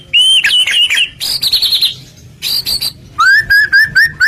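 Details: Singing murai batu (white-rumped shama) used as a lure for rival shamas: wavering whistles, a harsh high rasp, a short buzzy burst, then a series of clear rising whistles repeated quickly.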